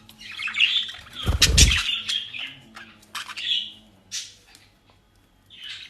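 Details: Captive budgerigars near Den Haag, Netherlands, eating dry leaves and grass; a run of warbling high chirps is broken by a sharp rustling thump, then scattered single chirps.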